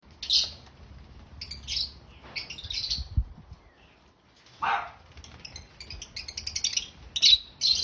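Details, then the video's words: Pet African lovebirds chirping loudly, described as happy: bursts of sharp, high chattering chirps in clusters, with pauses between, and one lower squawk near the middle; faint low thumps underneath. "African Love birds sounds loud🐦Love birds chirping sounds🐤Happy Love Birds sounds"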